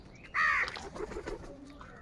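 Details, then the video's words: Several crows calling in the morning, said to be fighting for food; one loud, harsh caw lasting about a third of a second, then fainter scattered calls and soft outdoor chatter. "Many Crows Crowing sounds and Crowing noises in the Morning"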